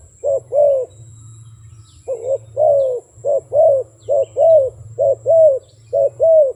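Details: Repeated paired coos from a wild dove, roughly one note per second, each pair a clipped note then a rounder, falling one, continuing for several seconds against a soft low drone.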